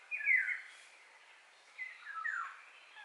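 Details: Eurasian golden oriole singing a mellow, fluty phrase that slurs downward, followed after a pause by a second warbled, yodelling phrase; light ambient noise and faint high bird chirps behind.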